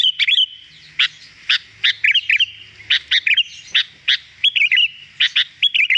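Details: Actively singing sooty-headed bulbul, recorded clearly as tutor material: bright chirps spaced about half a second apart, mixed with brief wavering whistles, plus faint low hum in the background.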